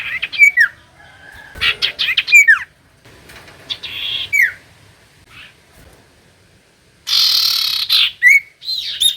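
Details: Common iora song played to provoke reluctant birds into singing: sharp, downslurred whistled notes with bright chirps, separated by pauses, then a loud buzzy, rasping burst followed by more quick whistles.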